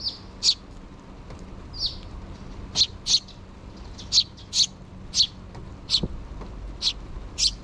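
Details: Sparrow chicks in a nest begging their parent birds for food, two chicks present with the mother bird: short high chirps repeated irregularly, roughly one every half second to second, over faint low background hum.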